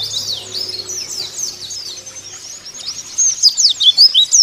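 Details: Caged white-eye song used to coax other caged white-eyes into singing: a dense run of high, quick twittering notes, swelling near the end into loud, sharp chirps repeated in a rapid pulse.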